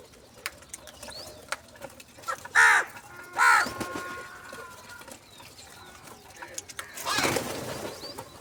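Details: Crow giving food calls in the morning. Two loud, harsh caws sound about a second apart, followed by a burst of broadband rustling noise.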